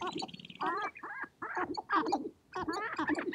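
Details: Courting sharp-tailed grouse gathered on a spring prairie hilltop, dancing and fighting before females: loud, full, harmonic cackling calls in clustered bursts separated by short pauses.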